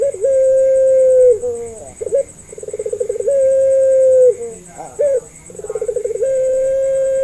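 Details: Barbary dove of the Puter Pelung type, recorded as a calling lure to help doves learn to call. Long level low coos alternate with bursts of fast rolling, throbbing notes and brief wavering fragments. A steady faint high-pitched hum runs throughout.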